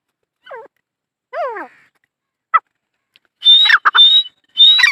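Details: Dakhni teetar, a francolin: a few short downward-sliding notes, then loud bursts that mix harsh rasping with clear high whistles rising slightly in pitch, with gaps of silence between phrases.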